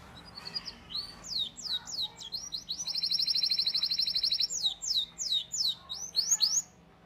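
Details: Canary song for training juvenile canaries to sing: a series of sharp descending sweeps, then a tight rapid roll for about one and a half seconds, then more falling whistled notes.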